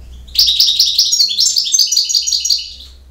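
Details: Campero-style song of a European goldfinch: one unbroken phrase of quick, liquid, high-pitched trills and chirps lasting about two and a half seconds, in a quiet setting.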